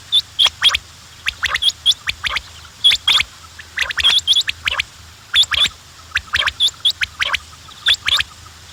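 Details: A group of quails: rapid high chirps in short runs, punctuated by dry clicks and ticks, steady and busy throughout.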